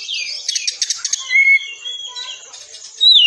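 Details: Oriental magpie-robin in the dense 'tembakan rapat' training-song style for caged birds: a quick series of harsh chips, then clear level and gliding whistles, ending in a loud downslurred whistle.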